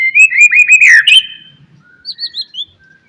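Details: White-rumped shama morning song meant to set off other shamas: a fast warbling run of whistled notes ending in a buzzy flourish, then soft, higher whistled notes after a pause.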